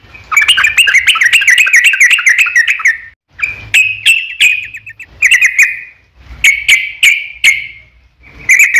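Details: Yellow-vented bulbul singing as a lure for answering birds: a fast warbling trill of wavering whistles for three seconds, then shorter bursts of ringing notes separated by brief silences, with low rumbling in the background.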